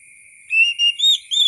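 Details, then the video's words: Oriental magpie-robin giving four short clear whistles, pitch stepping upward on later notes, over a steady faint high-pitched tone. "KICAU BURUNG KACER SUARA ASLI KAYAK DI ALAM LIAR"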